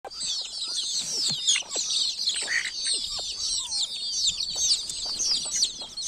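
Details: Many baby chicks peeping together in a village: a dense, continuous chorus of high, short, downward-slurred cheeps overlapping throughout, with scattered soft clicks and taps beneath.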